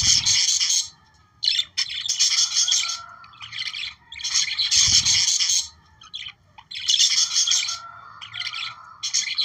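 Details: Budgerigars chattering for breeding stimulation in clearly separated bursts of rasping, twittering notes, roughly every second or two, with low thuds at the start and near five seconds.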